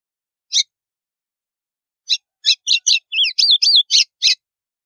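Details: White-throated seedeater, endemic to northeastern Brazil, giving its estalo song to warm up other birds: one lone high note, a pause, then quickening crisp chirps that turn into slurred, whistled up-and-down notes.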